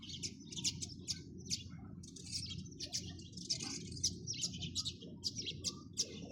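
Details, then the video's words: Sparrows chirping busily, with rapid, overlapping high chirps repeated almost without pause throughout and a constant low hum underneath. "চড়ুই পাখির কিচিরমিচির শব্দ Chirping sound of sparrows"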